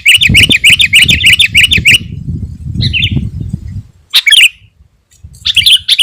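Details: A sooty-headed bulbul in lively song, used as a lure to provoke rivals and attract wild birds, gives a fast two-second run of bright, chirpy notes, then scattered short bursts over a low rumbling background.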